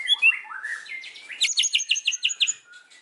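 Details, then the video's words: White-rumped shama singing in the afternoon: sliding whistled notes descending, then a fast run of bright repeated chips about five per second. "KICAUAN MURAI BATU SORE HARI"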